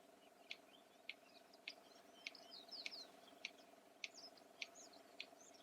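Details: Red-crested bustard producing its typical clicking by snapping the beak shut, a contact and courtship signal; nine sharp clicks spaced roughly 0.6 seconds apart, accompanied by high twittering birds and a steady background hum.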